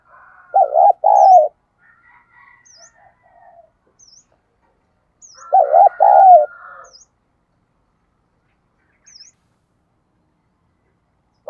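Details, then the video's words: Decoy call of a spotted dove for luring doves: a loud double coo followed by soft murmuring notes, repeated once after a long pause, while a faint high chirp recurs every second or so. "cu gay kich boi nhanh noi"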